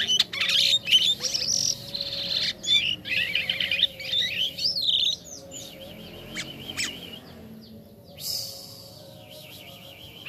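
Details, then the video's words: A jalak kapas starling in full gacor song. Dense squeaky, scratchy warbling comes first, then a run of quick wavering trills and thin whistles, and a buzzy rattle near the end. "JALAK KAPAS KALAU SUDAH GACOR MANTAP JUGA"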